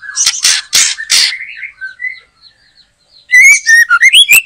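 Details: White-rumped shama heard while being trapped in a backyard behind a house: four harsh rasping bursts, soft short whistles, then a quick rich series of clear rising whistled notes.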